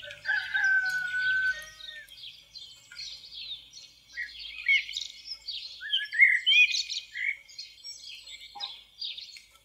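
Common blackbird singing: a low, mellow fluted phrase, then a run of squeaky, higher twittering notes that trail off.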